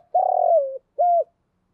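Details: Spotted dove used as a decoy to lure wild doves, giving one long, rich coo that slides down at the end, then one shorter, rounded coo note. Clean and close, with no other sounds.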